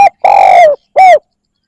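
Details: Spotted dove lure call: the end of one note, a long even coo that drops at its end, then a single short rounded coo, very loud and clear against silence.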